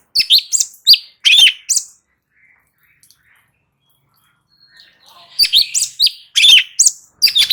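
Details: Light-vented bulbul singing ngebren for a training recording. Bright, jerky chirps and whistles come in a burst at the start. After about three seconds of near silence, a similar lively run resumes.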